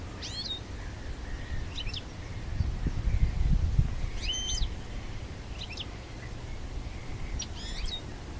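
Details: European goldfinch singing in the wild: short, bright twittering phrases of quick sliding notes roughly every one to two seconds, heard faintly over a steady low wind rumble.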